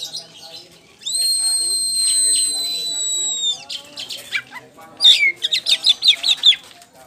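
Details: Oriental magpie-robin of the poci variety, a champion bird singing in the ngeplong style. A long, clear, level whistle with a bright overtone is held for about two seconds, then comes a run of short, sharp, rapidly repeated notes.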